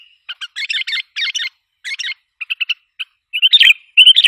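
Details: Lure call of the sooty-headed bulbul, meant to agitate wild birds: clusters of harsh squawky chirps, then quick separate notes, ending in longer rolling warbles.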